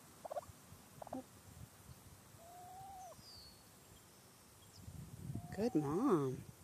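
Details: Wild turkey hen near her hiding chicks, warning of danger from the sky: a few brief notes and one long level tone, then a loud burst of wavering, yelping calls at the close.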